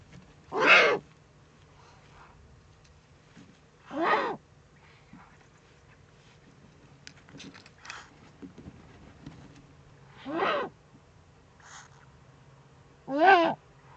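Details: A common moorhen (Gallinula chloropus) in the Eifel, Germany, at 22:29 at night on 13 April 2014, gives four loud, harsh, croaking calls at irregular intervals, with softer calls between them over a low steady hum.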